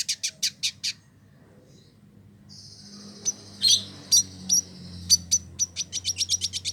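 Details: Male village indigobird in Bandung, West Java, Indonesia, kept as a tutor bird: a burst of short, sharp, very high chips, a pause, then buzzy high tones and quick repeated high notes over a low hum.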